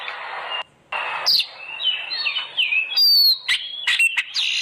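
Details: Oriental magpie-robin song played as a lure to make caged birds sing loudly: harsh noisy bursts, then clear whistled notes sliding down and up, sharp high chips and a loud buzzy phrase near the end.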